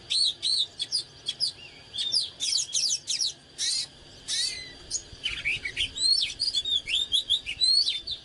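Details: Oriental magpie-robin singing in the heated 'căng lửa' style while dancing: bursts of harsh, buzzy broadband notes mixed with sweet whistled slurs and quick chattering runs, delivered in choppy phrases with short gaps.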